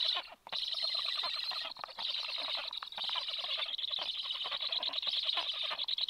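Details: Feeding scene at a black stork nest, 26 July around 9:40, the male bringing fish to the young: steady, intense scratchy chattering that barely pauses over six seconds.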